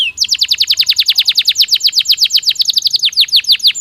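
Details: Canary song for stimulating breeding birds: one rising whistle followed by a dense, fast tour of sharply descending notes, steady and loud throughout.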